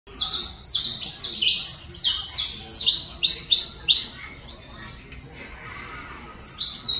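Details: Saffron finch, the Colombian canário-da-terra song style, delivers a quick run of bright, high chirped notes that slide downward, grouped in bursts, with a quieter pause before a final phrase.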